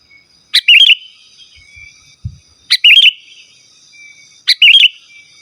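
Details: Sooty-headed bulbul, song played to lure wild birds and tutor captive birds: three identical bubbly phrases, each a sharp note followed by a wavering whistle, spaced about two seconds apart, over a faint steady hum.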